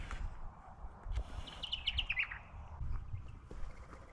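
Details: A Fuscous Honeyeater in tree foliage in woodland on a travelling stock reserve near Barraba, NSW, gives a quick run of five or six bright, high chirped notes that dip slightly in pitch, over low rumbling wind noise.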